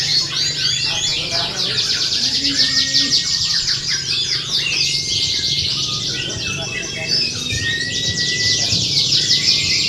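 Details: Canaries singing in a contest simulation used to train and steady competition birds: a dense, continuous chorus of high, rapid trills and chattering warbles with sliding whistled notes, sustained throughout with barely a pause.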